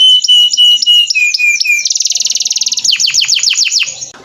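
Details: Canary song for training: steady flat whistled notes repeated evenly, dropping in pitch, then a fast pulsing trill and a series of sharp downward sweeps, fading at the end.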